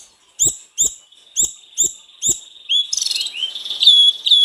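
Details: Snowy-browed flycatcher singing hard to coax others of its kind into song: five bright upslurred high notes about twice a second, each with a faint click, then a rapid twittering run ending in thin whistles.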